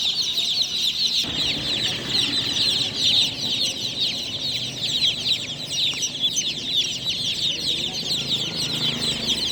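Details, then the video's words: Newly hatched chicken chicks at night: a dense, loud chorus of many high, short chirps and peeps overlapping continuously, with a faint low hum and a brief click underneath. "Tot Murgi Chicks Chirping Sounds - Just Born Baby Gallina FRACAS Chicks Piar Loudly Sound"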